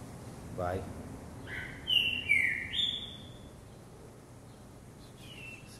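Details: Green-winged saltator kept in a cage, jumping from perch to perch and singing: a short burst of loud, clear whistled notes stepping down then up, followed by quieter faint notes and background hiss.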